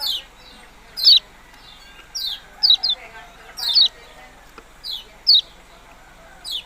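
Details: Kecial kuning, or yellow-bellied prinia, calling with sharp, falling high notes at a steady, uneven pace. Several are given as quick doublets, against light background noise.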